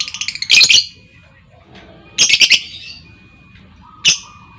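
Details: Female lovebird giving lure calls meant to make other lovebirds answer with long trills: loud, harsh, shrill chirp bursts in short clusters, three main bursts over a few seconds, with faint chirps and a steady thin tone behind.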